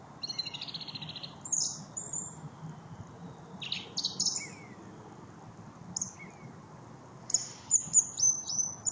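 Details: Thrush song: a string of varied high phrases, including a rapid buzzy trill, sharp whistles, brief squeaks and a final burst of quick repeated notes, spaced irregularly over steady low background noise.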